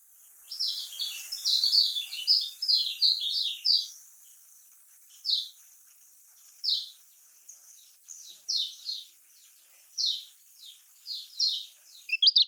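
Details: Lemon-bellied white-eye (kecial kuning), Lombok-style singing used as a lure for quiet birds: high chirped bursts, dense at first, then spaced single notes and short clusters over a steady background hiss.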